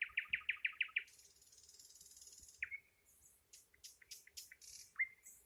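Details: Nightingale opening with six rapid, identical, throbbing notes, then a long high buzzy trill, a down-slurred whistle, and a series of sharp clicks ending in a rising whistle.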